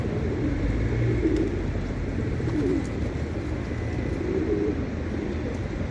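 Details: A group of pigeons cooing: soft, low, throaty coos rising out of the background around one, three and four and a half seconds, partly masked by a steady low rumble like nearby traffic.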